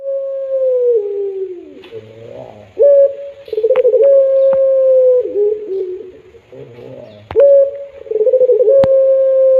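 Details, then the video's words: Caged puter pelung dove giving its melodious drawn-out coo: long steady tones with dips and trembling pulsed stretches, repeated about every four to five seconds, with a few sharp clicks. "Tangisan Merdu || Burung Puter Pelung"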